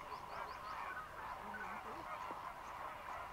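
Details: Greater flamingo flock fishing in lagoons of Mannar Island, Sri Lanka, as dry-season migrants; busy honking chatter with a few short higher rising notes and lower drawn-out honks.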